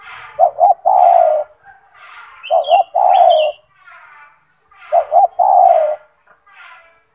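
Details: A gacor spotted dove (tekukur) kept as a master bird, with a big, loud voice. It coos a clipped double note followed by a long steady coo, repeated three times. Brief high twitters from other birds.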